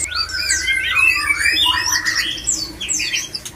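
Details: White-rumped shama male in breeding mood, calling to bring other shamas into condition. Sweeping, rising and falling whistles overlap with quick chirps and scratchy notes in a continuous, fast-paced stream. A steady low hum sits underneath.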